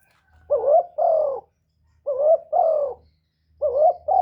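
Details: Spotted dove call used to lure wild doves: low, throaty paired coos, each pair repeated about every one and a half seconds, with a faint low rumble beneath.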